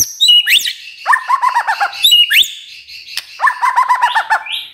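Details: Magpie-robin morning song used to prompt silent magpie-robins to start singing: loud varied phrases of sharp rising whistles and high squeaky notes, each followed by a rapid, evenly spaced series of mid-pitched chattering notes, repeated twice.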